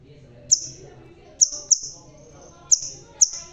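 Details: Crimson sunbird with a red tail, bald yet singing vigorously: five sharp, very high chips, each trailing into a thin buzzy whine, come in irregular bursts over faint low background hum.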